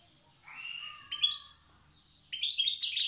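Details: Tiaret wild goldfinch, old-style song: a drawn-out nasal, wavering note, a sharp rising chirp, then a lively cluster of bright twittering notes.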